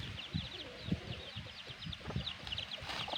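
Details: Black hen with her chicks: soft low clucks spaced about half a second apart beneath a steady stream of high, thin chick peeps.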